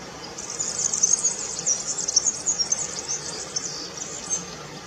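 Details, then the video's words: European serin in song. It delivers a continuous, very high-pitched, rapid jingling twitter of tiny metallic notes for about four seconds against a faint background hiss. "Verdecillo Cantando(serinus serinus)"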